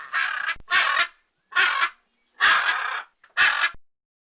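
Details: Harsh, grating squawks from a blue-and-yellow macaw. Four or five separate screeches, each about half a second long, are spaced by short silences.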